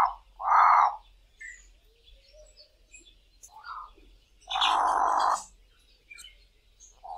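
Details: Two Cape crows calling from treetops in the dawn chorus in South Africa: harsh, nasal, broad caws, two loud ones a few seconds apart with a softer one between, amid thin chirps and whistles of other birds.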